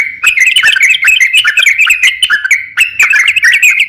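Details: Crocok-cokan kept as a songbird, recorded as a training master song: a loud, fast, continuous chattering warble of short slurred whistled notes, rising and falling, with sharp clicks throughout and no other sounds.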